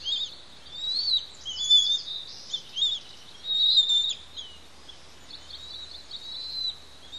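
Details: Noisy bald eagle chicks, two young eaglets being fed by their parents at a Santa Cruz Island nest in a restoration project; shrill whistled peeps and wavering squeals in close bursts, some slurred, with faint low background hum.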